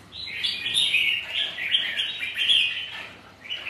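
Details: Kept red-whiskered bulbuls competing on a rainy, windy day: a continuous run of liquid, warbled notes with sharp accents, lasting about three seconds before easing off.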